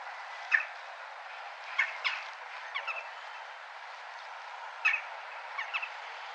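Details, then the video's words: A crow in a town gives short, harsh caws, single or in quick pairs, every second or two, over a steady hiss of town background noise and people's voices. "เสียงอีกาในเมือง A noisy crow"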